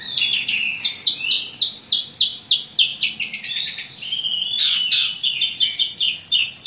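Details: Asian pied starling (jalak suren) in energetic, varied song, used as a lure to prompt quiet birds to sing: rapid repeated harsh notes and whistled phrases, about three per second, stacked high-pitched chattering with mimicked fragments.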